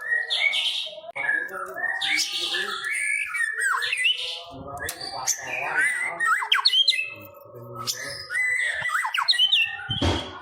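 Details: White-rumped shama song used as a prompt to make a caged bird sing: loud jumbled stream of harsh squawks, sharp downslurred whistles and chatter, pausing briefly midway, with a loud burst at the end.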